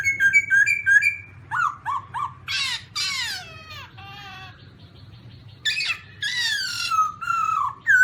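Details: Black-throated laughingthrush, Garrulax chinensis: quick whistled notes, then harsh rasping descending squawks and a buzzy trill, followed by a long loud whistle sliding down, over a faint low hum.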